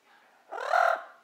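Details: Yellow-naped Amazon parrot named Ike, which speaks Spanish and English while watching TV, gives one loud, half-second nasal, voice-like utterance at a steady pitch before fading, over a faint indoor hum.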